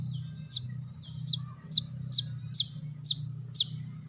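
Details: Brown-throated sunbird call used to attract birds: seven high, slurred-down chips at slightly irregular half-second intervals, with a steady low hum throughout.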